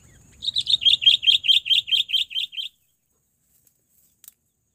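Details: Sooty-headed bulbul lure call, a quick run of about a dozen loud, ringing chirps delivered evenly over two seconds, then silence broken by a couple of tiny clicks.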